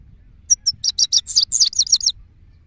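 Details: A goldfinch, probably a male, sings a quick, bright, liquid twitter of about a dozen high tinkling notes run together over under two seconds, with faint low hum behind.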